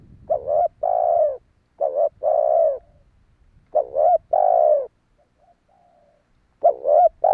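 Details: Spotted dove lure calls for wild doves: paired phrases of a stuttered rising coo and a broad long coo, repeated several times with pauses, low rumble at the start.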